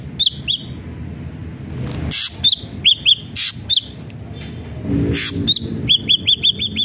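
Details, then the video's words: Lure song of an active ashy drongo. Scattered hooked whistles and rough bursts lead into a quick run of five or six clipped whistled notes at the end, with faint traffic-like rumble behind. "srigunting abu abu gacor AMPUH BUAT pancingan srigunting abu biar bunyi"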